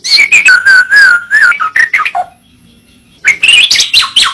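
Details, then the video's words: White-rumped shama (murai batu) masteran song: a sustained, warbling whistle followed by falling slurred notes, a silent pause, then a rich burst of high, tumbling notes. "Masteran burung murai batu suata unik sukses bikin emosi"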